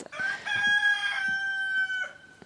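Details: Rooster crowing on a volunteer farm in Nova Scotia, Canada, on 23 November: one long, drawn-out, ringing crow held steady for about two seconds, dropping at the end, with faint background rustle.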